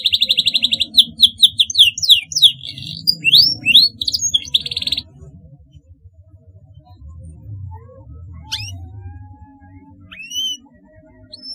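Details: Canary singing to teach young birds learning their song: about five seconds of fast rolled trills and sweeping notes, then near quiet with a few faint isolated whistles and a low background rumble.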